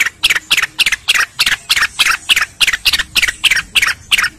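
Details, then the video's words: Cucak rengganis master song for teaching other birds to sing, with running water behind: loud, bright chirped phrases in quick succession, each a short descending burst, about three per second with little pause. "MASTERAN BURUNG RENGGANIS SUPER GACOR"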